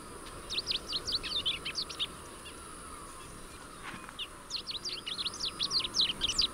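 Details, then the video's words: Rusty-collared seedeater giving two bursts of rapid high sweeping and twittering notes with a quiet pause between them, over faint background hiss. "Canto do Coleiro do Brejo Sporophila Collaris"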